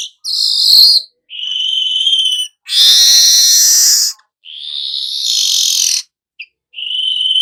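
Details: Weaver giving nyerut-style song: a series of long buzzy hissing phrases of one to two seconds each, some strained and broad, separated by brief gaps, with no other sounds.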